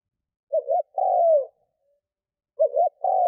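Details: Spotted dove used as a decoy to attract wild doves. One full coo phrase has a quick doubled opening note and a long falling tail. A second phrase starts and is cut off. The background is silent.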